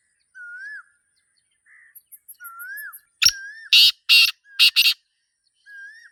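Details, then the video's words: Black francolin (Sindhi teetar) calling in a natural setting: clear, curving whistled notes that rise then dip, spaced about a second apart, with a cluster of loud, harsh, broadband bursts in the middle. "Sindhi Teetar Sound 2026 | Black Francolin Calling in Nature"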